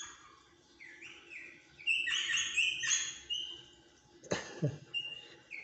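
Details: A captive rosella gives bright, chattering chirps and quick whistled notes in bursts, with a man's voice talking in Portuguese and a sharp knock partway through.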